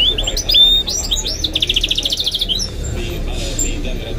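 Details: Goldfinch and canary hybrid singing: whistled notes leading into a fast, even trill of about twelve pulses, then quieter twittering, with faint Arabic speech behind.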